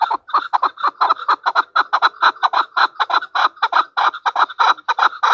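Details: Chukar partridge, called chakor, Pakistan's national bird, a hunter bird, delivering loud, fast cackling chuck notes in a steady, insistent run, close and clear.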